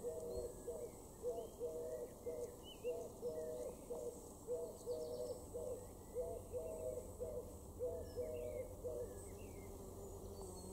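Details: Eurasian collared dove (Streptopelia decaocto) in a garden in Weener, East Frisia, northwest Germany, June 2022, cooing a low, hollow three-note phrase about every second and a half, with faint chirps of other small birds behind.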